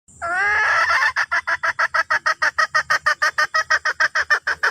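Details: Red junglefowl hen calling to the rooster: a drawn-out, wavering harsh note of about a second gives way to a steady run of rapid, clipped clucks, roughly three per second.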